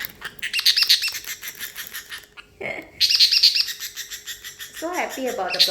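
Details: Pet parrotlet in a high mood, making water sounds, gives rapid bubbly, crackling high chatter in long pulsing runs broken by a short pause, then a woman's voice at the end.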